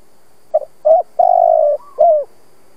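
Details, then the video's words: Spotted dove decoy bird, kept to prompt other doves to coo. It gives a low four-part phrase: a clipped double note, a short coo, a drawn-out vibrating coo, and a closing falling coo. The background is quiet. "Tiếng chim cu gáy kích bổi"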